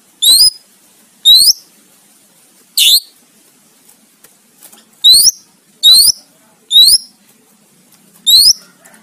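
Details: Greater green leafbird, recorded for training competition songbirds: single high, thin, sharply rising whistles repeated at irregular intervals of about one second, with quiet between.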